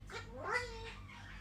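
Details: A red Eclectus parrot greets with a short, rasping, human-like "good morning" in a warbling voice that slides up then down, with a faint hum in the room behind it.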